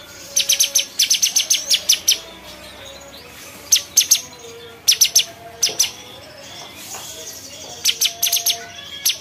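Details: Bulbul, a cucak cungkok, giving bursts of rapid, sharp, high chirps in quick runs of six to ten notes, separated by brief pauses, over faint low background hum.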